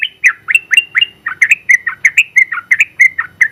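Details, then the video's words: Sooty-headed bulbul, a champion caged trucukan in long ropel song kept as tutor material, pours out a dense, steady run of rolling, warbled whistled notes, roughly four each second without pause. "KICAU Suara Burung Trucukan Gacor ropel panjang ampuh buat masteran trucuk"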